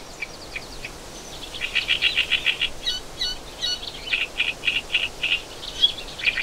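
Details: Hungry wagtail chicks in a nest hidden in foliage in spring beg with rapid, high, wheezy chirps in quick bursts of about four a second, guiding the parent bringing insects, over a steady background hiss.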